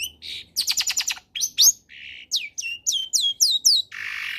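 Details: Long-tailed shrike combination song, used to coax other shrikes into singing: a quick series of repeated high downslurred notes, short hissing rasps between phrases, and a run of sweeping whistles ending in a long harsh hiss.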